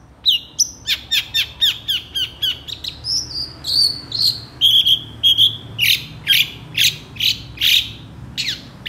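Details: Long-tailed shrike singing a varied tutor song, quick to respond to other shrikes; steady rhythmic high chips about twice per second, shifting through slurred whistles into louder, sharper repeated notes.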